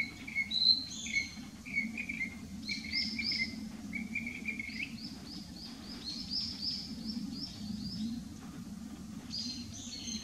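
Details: Narcissus flycatcher singing from a dead branch on 6 May 2016, circling several song posts, Nikon P900 recording; repeated lower whistled notes at first, then strings of higher chirping phrases over a steady low background hum.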